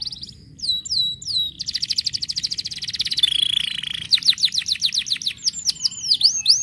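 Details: Canary singing a varied, continuous song of high sliding whistles, rolling buzzy trills and quick rhythmic note series that change every second or so.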